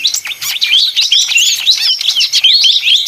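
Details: Short burst of excited leafbird song: tightly packed, sweeping whistled notes and sharp chirps with no real break.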